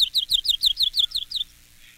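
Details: Song of a Myrtle Warbler: nine clear, downslurred high notes repeated steadily at a measured pace, each dropping in pitch, fading out after about a second and a half.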